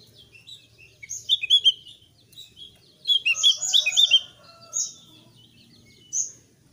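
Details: Thick-billed white-eye delivering a loud, free-flowing song intended to trigger singing in other birds: two bursts of squeaky, chattering high notes separated by pauses, with a few isolated chirps after.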